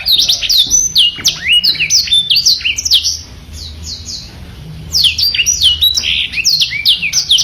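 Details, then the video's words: Black-throated canary singing a lively masteran song: fast, high, sharply slurred whistled notes and twittering trills in quick bursts, a brief quieter pause mid-way, then another energetic run of chirping phrases. "BLACKTRHOAT SUPER GACOR MASTERAN"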